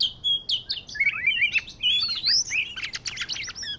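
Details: Medan magpie-robin singing as a trapping lure, a fast, rich medley of slurred rising and falling whistles mixed with buzzy chatter and scratchy notes, delivered without pause.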